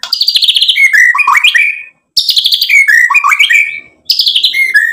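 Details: White-rumped shama singing a lure song meant to rouse other shamas to reply: three bursts of song, each opening with a rapid high trill, then dropping into varied whistled slurs, separated by short pauses.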